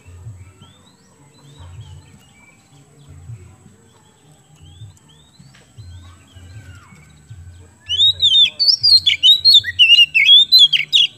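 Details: Oriental magpie-robin in Indonesia, its song used as a lure to stimulate other birds to sing; after quiet faint chirps, a loud burst of varied rapid whistles and sweeps starts, many notes per second, over a low steady hum.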